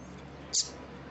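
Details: A single thin, very high 'tsip' from a female double-collared seedeater, about a tenth of a second long, over faint room hiss. The female call is played to excite and stimulate male birds.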